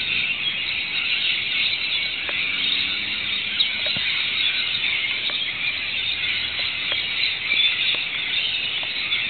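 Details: Rainbow Lorikeets and other local Australian birds calling as rain begins after several sweltering hot days; a dense, continuous wash of high shrill screeching, with scattered sharp clicks of raindrops throughout.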